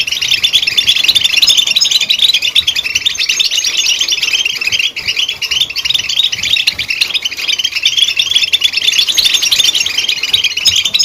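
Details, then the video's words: Goldfinch chirps pour out without a break, a busy tangle of high twitters, tinkling notes and short trills that keeps an even loudness throughout. "Chirps And Sounds Of Goldfinch"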